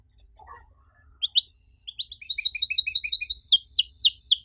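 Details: Canary song for training young canaries: opens with soft scattered notes, builds into a run of short repeated chips, then bursts into loud rapid descending whistles.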